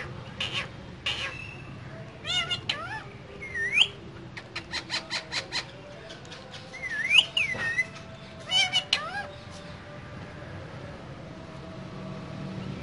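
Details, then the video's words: Pair of green parrots talking inside a cage: bursts of clicks and chirps mixed with looping, upward-sweeping whistles, in clusters separated by short pauses, over a faint background hum. "Two Green Cute Parrots Talking In Cage"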